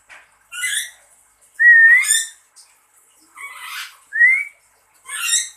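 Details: Lory calling in response to its owner's whistles: layered, raspy squawks alternate with two brief rising human whistles, in a quiet room.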